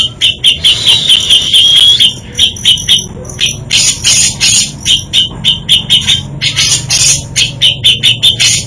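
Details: Varied isian song of a grey-cheeked bulbul: a sustained whistled strand, then rapid chattering notes and clipped repeated phrases, busy and scratchy throughout.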